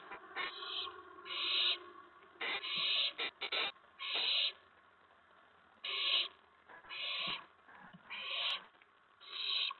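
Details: Evening at an owl nest on April 19, 2017, as two adults each bring food for the owlets: harsh, drawn-out hissing screeches lasting up to a second, coming in uneven bursts with short scraping sounds between them.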